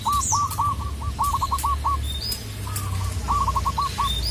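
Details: A native zebra dove calls a rival in two short runs of staccato, hooked coos, over a steady low hum with occasional high chirps from other birds.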